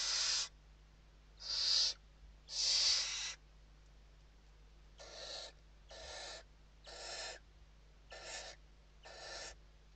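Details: Western barn owls inside the nest during evening feeding, Spain, 29 November 2023: eight hoarse hiss bursts, the first three loud and drawn out, the rest shorter and softer, evenly spaced about a second apart.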